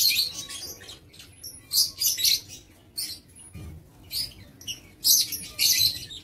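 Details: High, grating chirps and squeaks from aviary lovebirds, 7 April 2023, delivered in short clusters with gaps and a faint thin whistle in between.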